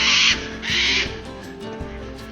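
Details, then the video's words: Many cockatoos feeding on pine cones in big pine trees at Currango Homestead, northern Kosciuszko National Park, NSW high country, give two loud, harsh, grating screeches of about a third of a second each, over a low hum. "And as you can hear, there's a lot of cockatoos here."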